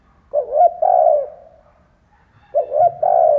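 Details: Vietnamese decoy spotted dove cooing to draw in wild doves: two repeated phrases, each of two quick soft hoots followed by a long, level, throaty coo, with a pause of over a second between them. A faint low rumble comes under the second phrase.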